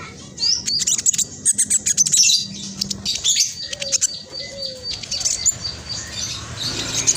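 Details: Spotted black sunbird used to prompt silent birds into song: a fast flurry of high, sharp chips at first, then sparser thin notes, with soft lower slurred whistles in the background.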